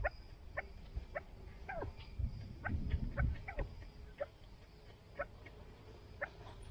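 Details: Chukar partridges belonging to the owners call in a fast irregular series of short clipped notes, roughly two or three a second, with a brief louder low scuffling noise midway.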